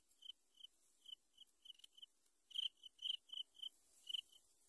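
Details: Yellow bittern at a nest where a pair is raising three chicks: short, high, thin chips, roughly two a second, uneven in spacing and loudness, over a faint hiss.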